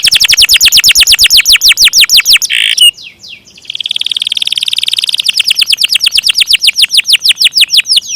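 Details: Canary in a long rolling song: rapid repeated downward-sweeping whistled notes, then a brief harsh buzz, then a fast trilled roll and more swept notes.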